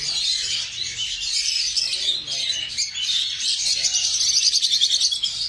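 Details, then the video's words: Lovebirds keep up a constant, piercing twitter that ends in rapid, rhythmic chirping. "লাভবার্ডস পাখি"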